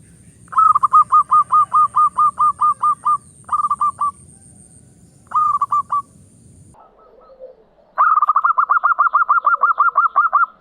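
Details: Local zebra dove opening song, used to draw song from silent doves: a run of about twelve sharp cooing notes, two short bursts, a pause, then a long fast series. A low rumble fills the first half.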